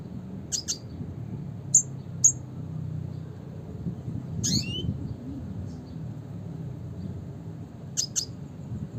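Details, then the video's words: Red siskin, classic call: scattered high chips, some doubled, and one buzzy upward-sliding call midway, spaced irregularly over a low rumbling background. "suara panggilan burung red siskin klasik"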